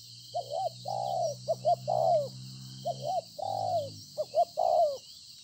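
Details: Wild-caught spotted dove cooing well, recorded 26 September 2020: low mellow coos in phrases of two or three short notes leading into a longer, drawn-out falling coo, repeated across the clip over a faint low hum and steady hiss.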